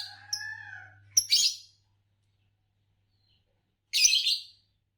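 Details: Green Fischer's lovebird, a color type noted for long songs and bird song competitions in Indonesia, giving a whistled descending note, then two harsh, broadband chirp bursts about three seconds apart, with a low steady hum underneath.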